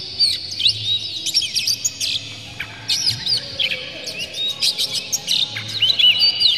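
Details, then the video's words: Oriental magpie-robin lure song meant to make other magpie-robins sing, delivered with tail open and full harsh material: varied whistled slurs mixed with buzzy chirps, phrase after phrase. "dijamin kacer langsung ngamuk2 dengar kacer ini bongkar emosi buka ekor ngobra full isian"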